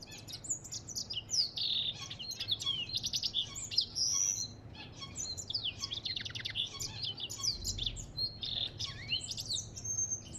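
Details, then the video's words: Continuous bright, high warbling from an African goldfinch, mixing quick rising and falling whistles, buzzy rattles and sharp twitters over ten seconds with only brief gaps. "اسمع صوت الحسون الافريقي"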